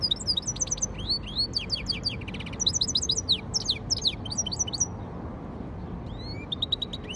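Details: Song of a yellow-fronted canary crossed with a canary: a lively, continuous run of high chirps, upward and downward sweeps and a brief rattling trill, ending in scattered soft notes over faint hum.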